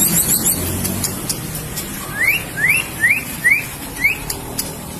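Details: Captive white-rumped shama of the Medan type opens with a few thin high chips, then gives five clear, rising whistled notes about every half second over a low background rumble.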